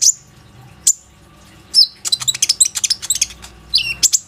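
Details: Plain-throated sunbird, a frequently singing bird used as a lure to prompt other sunbirds to sing, recorded on an Oppo A37f phone: sharp high chirps and downslurred whistles, then a rapid run of thin, bright notes and brief twitters.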